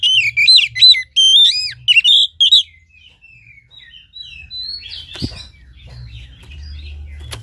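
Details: Oriental magpie-robin lure song to prompt a lazy caged bird to sing: a loud opening of quick, sharply slurred whistles for about two and a half seconds, fading into soft twitters and a click.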